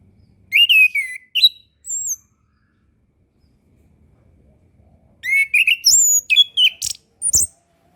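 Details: Orange-headed thrush singing, meant to coax young or reluctant birds into song: two groups of rich, fast whistled phrases with rising and falling slides and high sharp notes, separated by a quiet gap.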